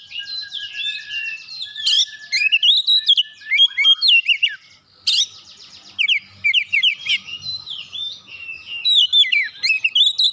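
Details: An oriental magpie-robin, provoked by another of its kind, sings vigorously: quick chains of bright rising whistles and rattling notes, one brief pause midway, then more rapid varied phrases.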